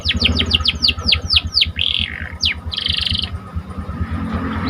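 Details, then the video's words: Lively Panda canary song: a series of about ten sharp falling notes, then a buzzy roll and a sweep, over a steady low rumbling background. "Meningkatkan Emosi Dengan Kicauan Burung Kenari Panda Gacor"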